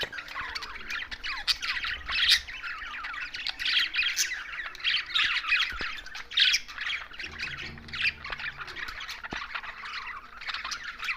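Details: Pet budgies in Larkana, Sindh, keep up a busy, overlapping chorus of squeaky chirps and harsher squawks that rise and fall in loudness across the whole stretch, with a few clicks.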